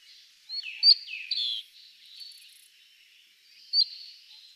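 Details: Cinnamon-chested bee-eater (Merops oreobates) in highland forest of Aberdare National Park, Kenya, giving a few high, sharp trilled calls with a falling slur, then a lone note after a pause, over soft background hiss.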